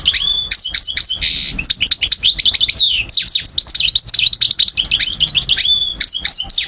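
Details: European goldfinch of subspecies parva singing near Algiers, Algeria, in 2012: a dense, fast stream of high twittering notes, sharp downslurred chips and brief buzzy rasps, with scarcely any pause.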